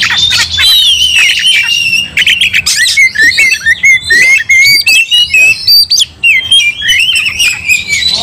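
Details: Oriental magpie-robin in fighting mood, provoked into aggression alongside another magpie-robin: loud, rich whistled phrases sliding and warbling at high pitch, broken by harsh scratchy bursts, continuous over eight seconds.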